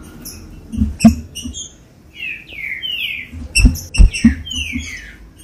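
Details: Green-winged saltator song played to get captive birds fired up and singing: a run of rich falling whistles followed by further slurred descending notes, with high chirps and thumping knocks nearby.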